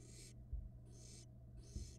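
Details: Barn owl nestling at a nest-box camera in Florida, taking off on a trial flight in 2022; three harsh, breathy hissing bursts roughly every 0.6 seconds with brief gaps, over a steady low hum and faint bumps.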